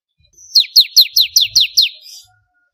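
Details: Bar-winged prinia, known locally as ciblek kristal, singing for songbird training: seven quick, bright notes each sliding steeply downward, delivered in a steady run with a faint buzzy trailing note at the end.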